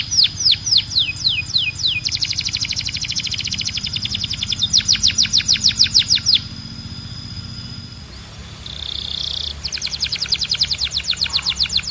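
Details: Loud canary singing: downswept whistled notes, then sustained pulsed rolls and trills, a short quieter break, a brief buzzy roll and another fast repeated trill.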